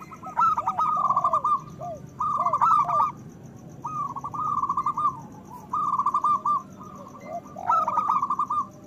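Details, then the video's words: Zebra dove, a local perkutut kept as a lure bird to stimulate breeding urge in other doves, sings loud phrases of quick, bubbling cooing notes. Six rolling bursts, each about a second long, with fainter low coos between them over constant hiss. "Perkutut lokal gacor Suara Besar Pancingan Bunyi Menaikkan Birahi Paling Ampuh"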